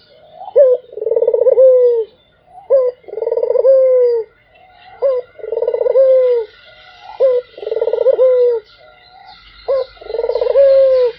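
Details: Melodious, nonstop cooing of a Barbary dove, five phrases in a row, each a quick upward note then a rolling, pulsed coo that falls away, evenly spaced, on a quiet background.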